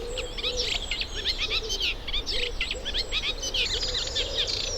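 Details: Reed warbler at a UK nature reserve while pairs build nests; dense, loud chattering song of harsh repeated notes and squeaky whistles, with a low rumble underneath.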